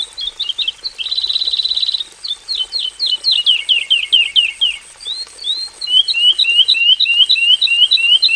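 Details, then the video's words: Javan bush lark singing 'gacor full isian' in a simple aviary cage: a buzzy rattling burst, then a cascade of descending slurred whistles, followed by quick rising chirps repeated in series, varied and lively. "KICAU SUARA BURUNG BRANJANGAN JAVANICA GACOR FULL ISIAN"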